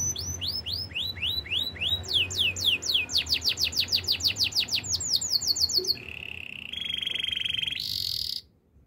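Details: Singing canary, described as in the wild: sweeping downslurred whistles speed up into a rapid roll, followed by lower steady trills and a short rasping high burst before silence.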